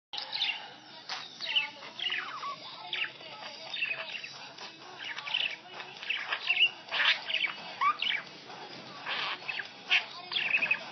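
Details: A male pet budgerigar chirping along to the Hindi song "Munni Badnaam Hui" played on a phone, warbling without pause in quick chirps, clicks and short whistled slides, bursting louder every second or so, with faint music underneath.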